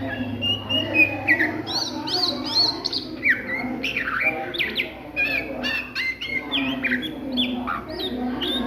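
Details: Oriental magpie-robin singing the ngriwik style of song at midday: rapid, varied whistled notes, short rising and falling slurs and sharp chips in quick succession, over a steady low hum.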